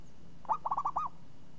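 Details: Zebra dove, described as a champion with crisp, swinging song: one phrase of a rising first note, then a fast rolling series of four coos closing on a longer arched note, faint low hum beneath.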